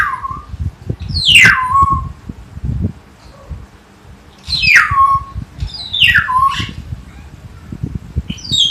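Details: A common hill myna, a kept bird in Jatiasih, Bekasi, sings actively. It gives loud whistled notes that sweep steeply down and end in low level tones, about four phrases over roughly nine seconds, over a low background rumble.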